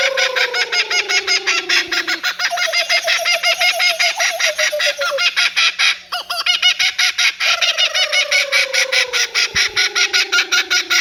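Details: Laughing Kookaburra laughing: loud rapid staccato cackling with descending tonal wails, pulses repeating fast and unevenly, rising and falling in intensity over eleven seconds.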